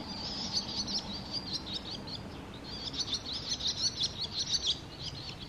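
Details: Barn swallow at the Tama River, wild: a continuous high twittering chatter of quick, scratchy notes running almost unbroken through the clip, with a soft low hum behind.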